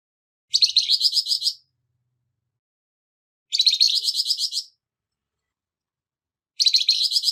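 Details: Flamboyan bird, harsh voice used to tutor songbirds: three scratchy phrases of fast pulsed notes, each about a second long, spaced roughly three seconds apart, with no other sound.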